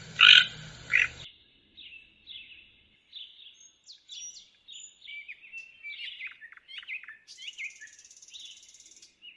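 A toucan gives a run of short, dry, croaking notes, repeated about twice a second and growing rougher, after a loud opening burst of noise.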